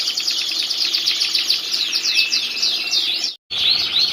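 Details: Training master-song canary singing without pause: a bright, high, rapid trill of looping chirps and steady rattling notes, with a brief gap before a few sweeping whistles close.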